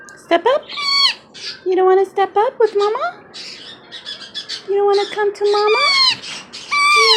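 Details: A roughly 4-month-old pet Indian ringneck parakeet, fed and not in pain, cries for attention with harsh, nasal rasping squawks in bursts of about a second each, with a woman talking gently in between.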